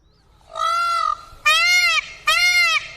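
Indian peafowl giving three loud, nasal, trumpeting wails in quick succession, each about half a second long, with a rich ringing tone and slightly arched pitch.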